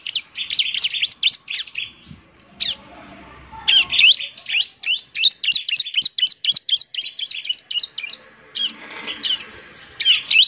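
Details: Bar-winged prinia (ciblek) singing semi-actively as a lure, with fast, crowded high chirps and trilled notes in long bursts, interrupted by a brief pause.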